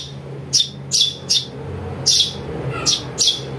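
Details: Eurasian tree sparrow chick calls, played to lure birds for trapping and as tutor audio. Six sharp, high, bright chirps arrive at uneven intervals over a faint low hum.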